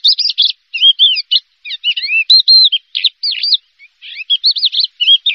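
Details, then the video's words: A Horsfield's bush lark, a first-place champion singer, pours out a fast, varied song of high chirps, slurred whistles and rolling trills, in short bursts with brief pauses, with no other sounds. "SUARA BURUNG BRANJANGAN"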